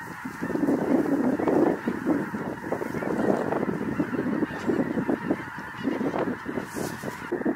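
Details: Huge flock of Snow Geese, migrants from the Arctic, descending into a cornfield in Illinois close to Indiana; loud continuous massed honking, many individual nasal yelps standing out over a constant crowd murmur.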